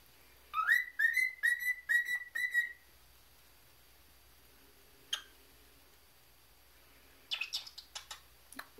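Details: Pet male cockatiel, trained for a month and learning to whistle tunes and talk, whistles a quick run of clear, upward-sliding notes while shown his mirror reflection, then falls quiet apart from a few clicks.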